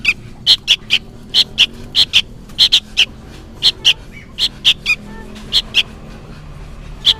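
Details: Young sooty-headed bulbul calling insistently as if summoning its parent: brisk, evenly loud chirps, mostly in pairs and triplets, about every quarter second, against a steady background hiss and low hum.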